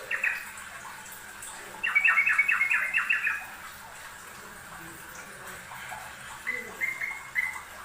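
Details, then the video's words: Yellow-vented bulbul singing in a master recording for training birds: a brief bubbly note, then a quick run of about six chirpy notes around two seconds in, then a short string of three clear notes near the end, with a low background hum. "MASTERAN TRUCUKAN RAJIN BUNYI || kicau burung trucuk rajin bunyi"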